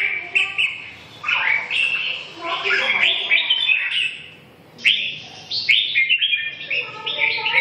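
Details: Red-whiskered bulbul song: lively bursts of sweet, slurred whistles and quick chirps, pausing briefly midway before resuming, with a faint hum behind.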